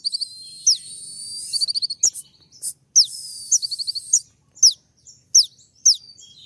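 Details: Kolibri ninja sunbird courting a female with sharp 'tembak' phrases: buzzy high trills blending into piercing downward-sweeping squeaks spaced roughly every half to one second, over faint low background noise.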